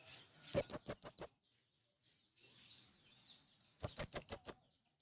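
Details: Male blue-crowned hanging parrot calling to its companions to lure in wild birds: two bursts of five thin, very high, sharply rising notes in quick succession, separated by about three seconds of silence.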